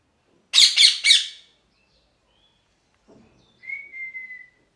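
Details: Three rapid, grating parrot squawks, then quiet, then a single level, thin whistled note fading out.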